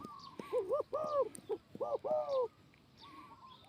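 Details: Spotted dove male kept as a ground decoy to bring wild doves down, giving a run of soft hollow coos: several quick arched notes followed by a longer swelling coo, then fainter notes trailing off, faint clicks behind.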